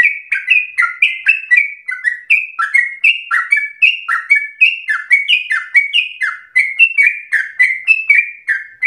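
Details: Sooty-headed bulbul in long, rapid, intense singing used as bait and master recording: a continuous chain of short bright whistles, alternating pitch and sliding downward, for nearly nine seconds.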